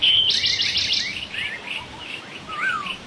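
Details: Wild laughingthrush producing a burst of harsh, rapid chattering notes followed by scattered chirps and a final clear whistled note that rises then falls.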